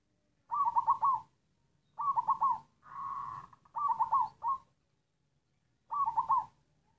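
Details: Local wild-stock black zebra dove delivering a halting, coughing coo: several stuttered phrases of rapid broken notes about a second apart, one smoother drawn-out coo among them, in a quiet setting.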